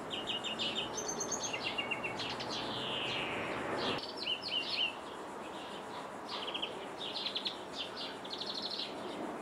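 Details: European greenfinch in Jordan, from a window: mixed twittering, short trills and a descending drawn-out note, chirps repeating about four per second, with background noise.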